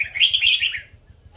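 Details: Red-whiskered bulbul, Vietnam and Uttaradit birds: a loud, rapid, rolling warble of tightly joined chirpy notes lasting under a second, fading out, with a soft rhythmic low thumping underneath.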